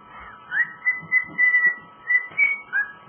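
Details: Indoor pet cockatiel (male) whistling his take on Jingle Bells: a swooping opening note, then repeated level whistles, a higher accented note and a falling slur, over faint background rustling.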